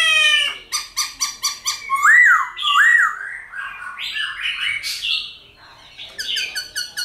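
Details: Silver-eared laughingthrush giving wild-style song used to train captive birds: rapid harsh stuttered notes, then two clear looping whistles, then varied chattering phrases, ending in quick buzzy repeated notes.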